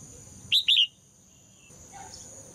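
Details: A female red-whiskered bulbul sings a brief two-part whistled phrase, bright and slightly falling, to prompt males to answer strongly. Then comes a quiet pause with a faint chirp, over a steady high background tone.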